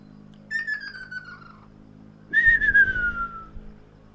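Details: Ruddy kingfisher call exchange, 12 April 2019, first of the season: one softer descending rolling whistle followed by a stronger, closer reply that glides downward for about a second.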